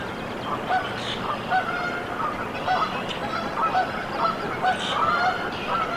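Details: Canada goose nest in Decorah, Iowa, USA, on 14 April 2024, as goslings hatch: short clear piping notes repeated roughly every half second, some with a harsher honk-like edge, over a steady background hiss.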